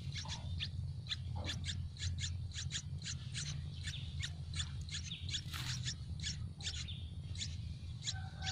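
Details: Hungry young Yellow-vented bulbuls in their tree nest beg for food with a steady stream of sharp, high chirps, several per second, above constant low background noise and a brief rustling burst.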